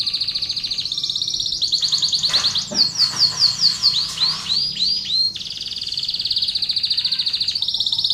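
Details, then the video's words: Canary song recorded as lure audio for contest and young birds: rapid high trills broken by repeated short swooping notes and curled chirps, then a long sustained rolling trill. "SUARA BURUNG KENARI | PANCINGAN DAN MASTERAN BURUNG KENARI KONTES DAN BAKALAN"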